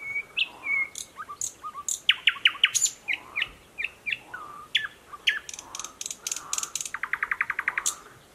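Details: Song of a newly arrived thrush nightingale in dense thickets by a stream, Mogilev district, Belarus, 11 May 2021: varied whistles, clicks and chopped phrases, ending in a rapid, evenly spaced rattle of notes; faint frog croaking beneath.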